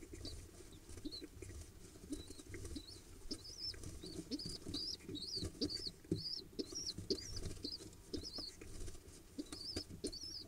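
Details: Pigeon nestlings, two chicks hatched 1 and 2 October 2021, begging eagerly during feeding on 15 October 2021; a run of high, wavering squeaks builds and repeats, with muffled rustles and wing shuffling underneath.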